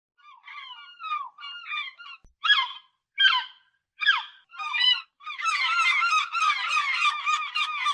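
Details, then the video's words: Gull calling in a real recording: a run of shrill, wavering squeals, then loud separate yelps about every 0.7 seconds, building into a dense, overlapping chorus of harsh, laughing cries at the end. "SOM DE GAIVOTA"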